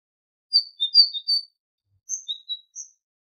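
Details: Tit song from a tutoring recording for goldfinches: two short phrases of high whistled notes, the first of five quick tones, the second of four sparser notes alternating high and low; quiet background.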